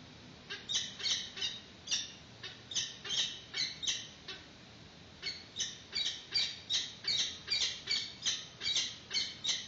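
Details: Peregrine falcons at a nest during the first feed of a chick, filmed by webcam in March 2019 as an adult brings in a yellow bird: rapid, harsh, repeated squawking notes, nearly three per second, with a short pause midway.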